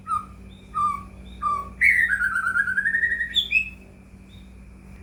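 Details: White-rumped shama song used as a lure to provoke caged shamas into singing: spaced whistled notes, then a long rippling whistled phrase sliding down and rising again, over a steady low hum.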